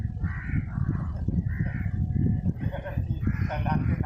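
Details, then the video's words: Crow calling while eating, with a squirrel present; harsh, hoarse caw-like calls repeated about four times in four seconds over constant heavy low rumbling background noise. "crow bird sound ll crow eating ll vs gilahri"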